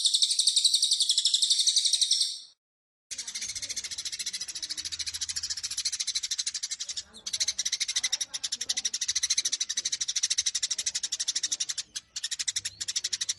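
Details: Eurasian tree sparrow in fighting mode, a combined 'Cililin' style used as a training recording: dense, high, rapid chirping chatter repeated about four times a second, with a brief pause near the start.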